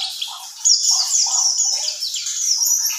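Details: Mountain white-eye (pleci buxtoni) singing in the ngerol style: a rapid, high, thin twittering run of sliding chirps that is continuous after a brief quieter start.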